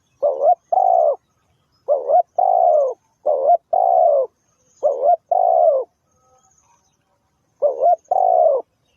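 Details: Lure spotted dove calling steadily, five two-part phrases in nine seconds. Each is a short undulating coo followed by a longer, resonant, downslurred note, delivered at a regular pace with clean pauses.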